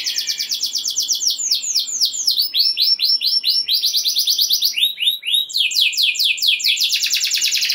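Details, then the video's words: Canary in strong song, rolling and shooting phrases to stir other canaries: dense trills break into series of downward-sweeping whistled notes repeated several times a second, then a fast high trill. "Kenari Gacor Ngeroll Nembak Joss! Buat Naikin Emosi Kenari Lain Biar Gacor Ngedur Ngerek"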